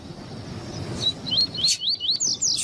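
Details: Double-collared seedeater with a female calling to excite the male: high slurred whistled notes quicken into a brisk run of rising and falling chirps over a low background hum.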